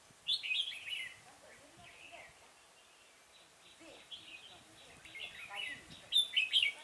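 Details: Red-whiskered bulbul during trapping with a decoy bird at Chùa Hương on 5 March 2018: bright, warbled whistled phrases, scattered and irregular, bursting loudest at the start and again near the end, over faint outdoor background.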